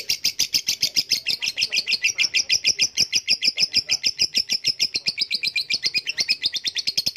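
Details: Sustained lovebird ngekek, a rapid, even trill of high, grating notes pouring on without a break for seven seconds.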